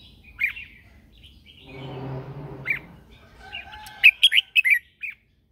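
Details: Red-whiskered bulbul singing as a lure bird in morning training, calling others; isolated warbled notes, a stretch of low rumbling noise midway, then a fast burst of five or six loud, sharp whistled notes.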